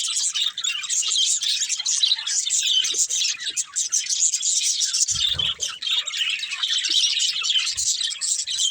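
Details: Family group of pet budgerigars giving nonstop high chattering chirps, overlapping twitters and squeaks throughout, with one low knock partway through.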